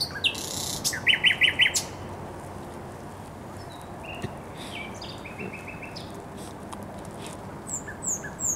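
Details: Thrush nightingale singing by the Żerań Canal on 24 April 2022: a short burst of four rapid, evenly repeated notes followed by quieter scattered chirps and a brief later phrase, with steady background hiss.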